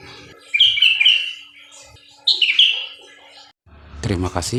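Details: Sooty-headed bulbul song: two short, bright whistled phrases about two seconds apart, each a quick liquid warble, followed by a person speaking at the end.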